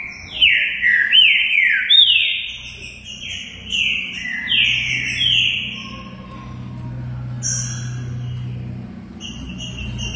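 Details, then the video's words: Green-winged saltator in Brazil singing a series of whistled falling slurs, each with an upward flick at the start, followed by quieter high notes and a steady low hum in the background. "TRINCA FERRO BARUC CANTANDO MUITO #2"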